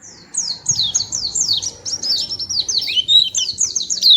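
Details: Continuous high, sweet twittering from a white-eye, a fast stream of steeply falling notes running almost without pause.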